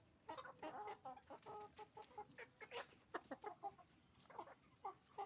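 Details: On a chicken farm, roosters and hens give steady bursts of short clucks, each note clipped and repeated several times a second, many birds overlapping into a restless chatter.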